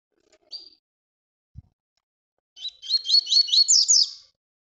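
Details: Tui Tui bird recorded as song training for young birds: one short high whistle and a soft click, then after a pause a quick series of about seven high, rising whistles ending in brighter sweeps.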